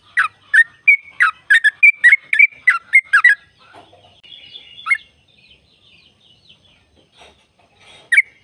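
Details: Sooty-headed bulbul giving a long trill 'ropel' song to stimulate caged birds; a fast burst of bubbly chattering notes for about three seconds, then quiet scratchy sounds and one last chirp.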